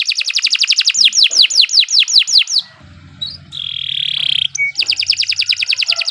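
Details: Long nonstop Kenari 86 canary song used as a tutor for new songbirds: rapid trill, a series of falling whistles, a steady whistled tone over a low hum, then another quick roll.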